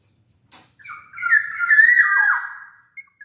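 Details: Black-naped oriole song used to prompt quiet orioles to sing: a loud, fluting whistled phrase lasting about two seconds, with slurred notes sliding between mid pitches and a final downward twist, followed by two short faint notes.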